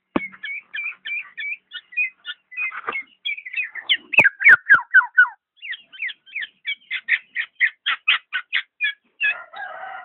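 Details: Black-naped oriole delivering a fast stream of short whistled and slurred notes, some chattering, roughly four per second, with a few sharp clicks midway and a scratchy ending.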